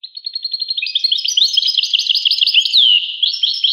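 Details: A continuous, lively goldfinch song: evenly spaced high chirps speeding into a dense, musical jumble of twittering notes with one clear downslurred whistle near the end.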